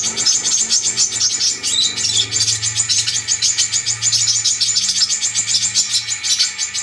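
Brown-throated sunbird song: a dense, rapid stream of thin, high chirps and twitters that goes on without pause, over a faint low hum.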